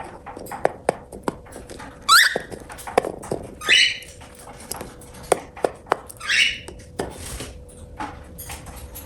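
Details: Eating pet cockatiel giving three scratchy, rising chirps spaced a couple of seconds apart, each short and harsh, amid sharp clicks of seed cracking and pecking in a small room.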